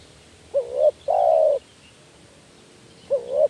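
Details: Spotted dove call for luring doves that are slow to call: one full phrase, a short rising coo and then a drawn-out, steady coo, followed about two seconds later by the start of the next phrase.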